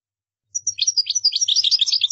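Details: European goldfinch in qdara song, a model for copying; after a brief silence, thin high notes open into rapid bubbly twittering that keeps accelerating.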